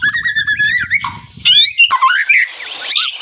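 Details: Rattling ngeretek song of white-rumped shamas answering one another: a run of clear whistled notes, then rising slurred whistles and quick trills, over a soft low background hum.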